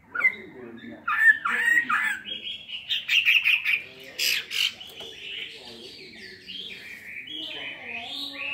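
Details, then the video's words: Chinese hwamei in its cage, two years kept, singing a fighting song in spread display: a jumbled mix of whistled slurs, harsh chattering bursts and warbled phrases, varying in loudness throughout. "Họa mi hót xòe hót đấu"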